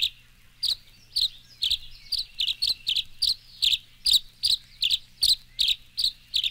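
Tree Swallow giving a steady run of liquid, high chirps, about fifteen notes in six seconds, each a short bright twitter, over a faint low hum.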